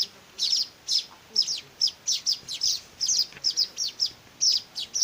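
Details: Young weavers begging as they are fed by hand give shrill, clipped chirps in irregular pairs and singles, around two to three per second.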